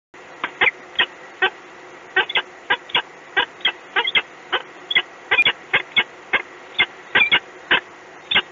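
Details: A peregrine falcon at the EDF site in Gdynia, Poland, gives a run of harsh, scratchy notes, two or three a second at an uneven pace, over a faint steady background hum.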